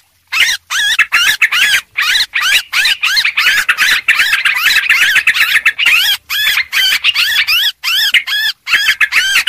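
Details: Sooty-headed bulbul, a rowdy lure recording: after a brief silence, crisp looping chirps pour out rapidly, clear and loud, in short clusters separated by tiny gaps.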